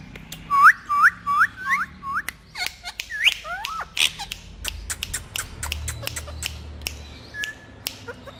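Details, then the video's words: Talking parrots kept as a group give a run of rising, looping whistles repeated about twice a second, then a scatter of short clicks, chirps and snaps. "So Funny And So Gorgeous Talking Parrots Group"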